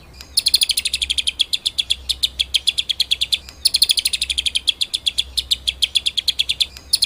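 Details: White-rumped shama singing a master song for training other birds, made of long fast high rattling trills broken by short pauses.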